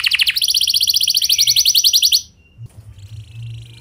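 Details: Canary in full rolling song, used as a lure to get other canaries singing; fast high trilled rolls pulsing about four per second, then a softer buzzy trill after a brief pause, with low hum underneath.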